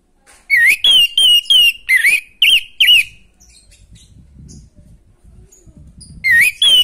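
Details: Vigorous natural song of an orange-headed thrush, meant to rouse breeding drive in other birds: a rapid run of about seven bright whistled notes, a quiet gap with faint low sounds, then two more notes.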